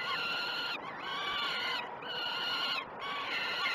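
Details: Young peregrine falcons call for food during a morning feed, 06:20 on 12 June 2018, at the Great Spirit Bluff falcon cam. Steady, rasping, harmonic screams come roughly once a second with brief gaps.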